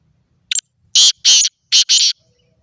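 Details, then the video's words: Black francolin from Khushab, giving a short phrase of harsh, grating notes: a brief clipped note, then four loud buzzy bursts in two pairs, sounding overloaded and distorted, with near silence before and after. "kala teeter ki awaz"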